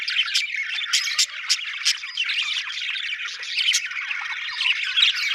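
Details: Loud budgie chirping: busy scratchy warbles punctuated by several sharp clicking ticks, with a clean, quiet background.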